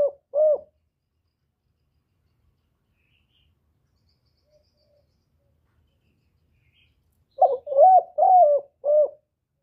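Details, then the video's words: A spotted dove cooing, captured without background noise. A single low coo is followed by a long pause, then a fast series of four hollow coos, the middle ones slightly longer. There is silence in between. "tiếng cu gáy giọng thổ thúc và gáy gọi"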